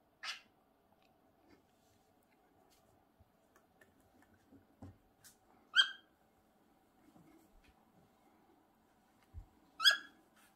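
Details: Cockatiels with rice: three short, sharp harmonic chirps spaced about five seconds apart, the last two loudest, with faint clicks and light rustling in between.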